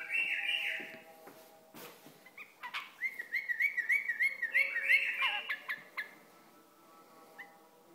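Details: Iraqi bulbul producing a series of rapid whistled notes, about three per second, over a humming, busy background with steady tonal noise and clicks.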